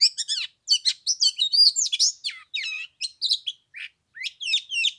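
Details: Oriental magpie-robin singing in 15-degree cold on the third day of Lunar New Year: fast, highly varied high-pitched song of chirps, whistles and trills in short bursts with brief pauses.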